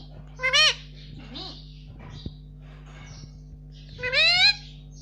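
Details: Pet Indian ringneck parakeet indoors saying "mummy": two loud, harmonic-rich rising-then-falling utterances near the start and end, separated by a few soft murmurs, over a steady low hum.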